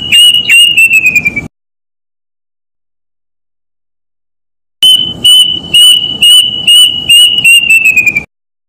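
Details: Plaintive cuckoo calling with a long, high, steady whistled note that sags slightly in pitch toward its end. The note is broken by rough, rapid pulses throughout. A pause of about three seconds separates two bouts.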